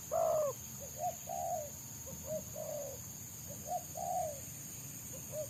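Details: Spotted dove, a wild bird prized by trappers for a rapid, tightly packed selang nguku song, gives soft mellow coos in irregular groups of two and three over a constant high-pitched hiss.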